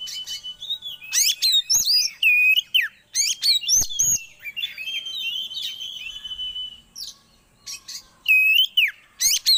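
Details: Song of the magpie-robin, meant to bring birds into breeding condition: bright whistled notes alternate with clipped chirps and downward slurs in short bursts, with a longer sustained warble in the middle and a loud closing flourish.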